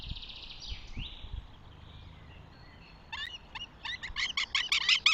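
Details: Northern goshawk at its nest in Tartu, Estonia, on 2 June 2025: after about three seconds of quiet, a series of harsh, ringing notes repeated roughly three times a second, growing louder. A thin whistled note from another bird opens the recording.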